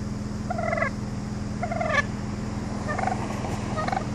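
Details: Wild turkeys calling on a residential road in Brookline, Massachusetts, at about 7:38 on an August morning; clipped, buzzy yelps in short bursts, some overlapping, over a constant low hum from traffic or machinery.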